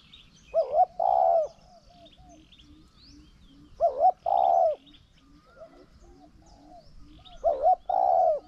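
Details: Spotted dove, decoy or wild rival, cooing in a decoy contest: three evenly spaced phrases of a short doubled hoot followed by a drawn-out purring coo, with soft background bird chirps.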